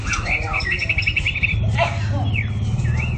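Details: White-rumped shama singing in practice: a fast run of repeated chirps near the same pitch, then quick rising and falling whistled sweeps, over a steady low hum.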